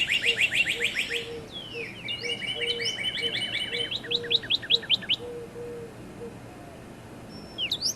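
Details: Northern cardinal giving a burst of rapid notes, a descending whistle, then an even series of short slurred notes, with a faint low repeated pulsing tone beneath.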